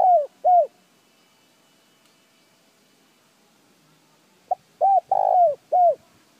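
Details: [3, 'Spotted dove call meant to stimulate other birds to call. A phrase ends with two soft coos, then after a pause a full phrase follows: a clipped note, a coo, a long descending coo and a closing coo.']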